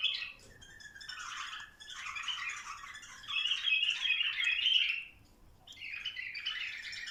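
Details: Bulbuls urged to mate, singing in swelling chattering waves, the loudest whistled stretch in the middle, followed by a short lull and a final burst of warbling.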